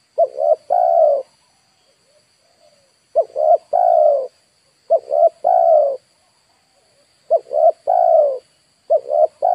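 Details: Lure spotted dove, Indonesia, calling to draw in wild birds: five three-part cooing phrases, two short coos and one longer falling coo each, repeated every two seconds or so.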